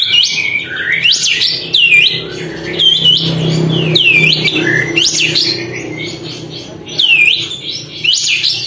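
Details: Sooty-headed bulbul, tail spread, in loud song aimed at provoking other birds: clear whistles sharply rising and falling in quick bursts, separated by brief gaps, over a soft low hum.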